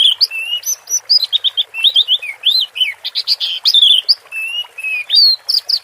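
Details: Orange-headed thrush in 'teler' style song, a fast, continuous stream of varied whistles, short slurred notes and trills that barely pause for almost six seconds.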